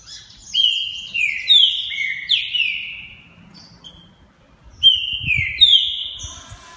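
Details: Multi-champion competition green-winged saltator from a breeder, in the fast, forceful style called fibra e velocidade: loud whistled phrases gliding downward, repeated in several strophes with brief pauses between them.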